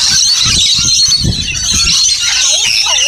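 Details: A flock of rainbow lorikeets (Trichoglossus moluccanus) at feeding time at a caravan park at Burrill Lake, South Coast, Australia, keeps up dense, shrill, overlapping screeching chatter, with low murmuring, possibly voices, underneath.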